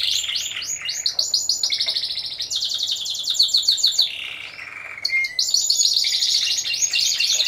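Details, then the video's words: Competition Timbrado Español canaries, a four-bird team in class C1, November 2015: rapid trilled rolls alternating with slower pulsed phrases, a brief softer gurgling passage, then bright high trills resume. "2ος Διαγωνισμός - Έκθεση Καναρινιών Φωνής Timbrado Español"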